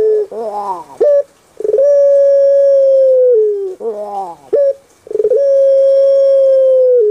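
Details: Kept puter pelung dove, a bird famous on Java, Indonesia, voicing kuk gerukkk kwokkk twice: a bubbling, warbled gurgle, a short clipped note, then a long level mellow hoot lasting about two seconds, slightly falling at its close.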